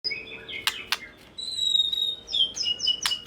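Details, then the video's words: White-rumped shama, called murai batu, song played to provoke other shamas into responding: varied high whistled phrases, sharp ticks and a long steady whistle near the middle, with a faint low hum behind. "Murai Batu Lain Dijamin Langsung Respon dan Nyambar Bunyi, Coba Saja Putar || Voice of Murai Batu"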